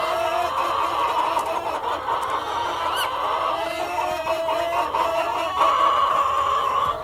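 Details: A farm flock of hens and a cockerel calling together, a continuous mass of clucks and long tonal notes with one sharp rising squawk at about three seconds.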